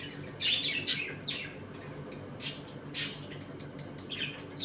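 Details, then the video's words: Pet budgerigars in a home flock, playing and squabbling: high scratchy chirps and brief downward-sliding whistles, scattered irregularly with soft pauses between calls. "Budgies Eating and play time in my home colony."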